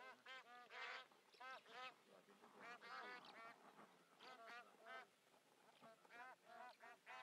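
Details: Bar-headed geese on migration in Pakistan, a flock giving nasal, harmonic honks that overlap in a busy chorus, with calls bursting out every half second or so throughout.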